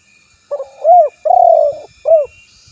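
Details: One cooing phrase of a spotted dove (tekukur): a soft lead-in note, an arched coo, a long sustained coo and a closing arched coo, with faint low thumps behind.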